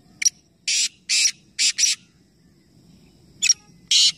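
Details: Black francolin in a three-bird calling competition at Nawabshah, Pakistan, giving loud rasping calls: a sharp initial note, then four scratchy buzzing bursts, a pause, and another sharp note and burst, with faint low rumble behind.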